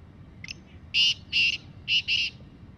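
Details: Wild black francolin calling in jungle, loud and clear: a faint short opening note, two spaced grating notes, then a fast pair of equally harsh notes over soft background rumble.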